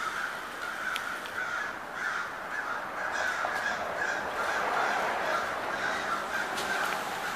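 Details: A crowd of crows gathering in October in Oakland, Pittsburgh, in 2013: many raspy caws blend into a steady roar, with a few sharper calls standing out and faint clicks.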